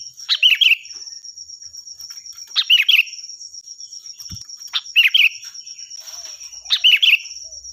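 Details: Loud, shrill song of a vigorous sooty-headed bulbul, kept for training other songbirds: four quick bubbly, slurred phrases at irregular intervals, with a constant high-pitched insect drone and a faint thump in between.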